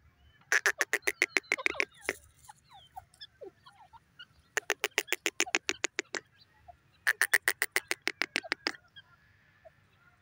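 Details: Grey francolin, called teetar locally, giving three long series of rapid, harsh repeated notes, each run lasting about a second and a half, separated by brief pauses with scattered softer notes.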